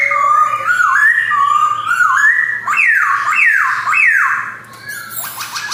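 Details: A white-cheeked male black-throated laughingthrush sings from captivity in Jogjakarta, 2021. Wavering whistled phrases lead into three strong, steeply falling slurred whistles, then a brief noisy burst.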